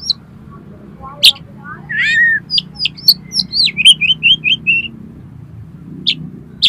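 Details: Oriental magpie-robin song with 'miuntah' fill, meant to stir competition birds: scattered high clicks and a curling whistle, then a fast series of short looping notes repeated about five times, over a low steady hum.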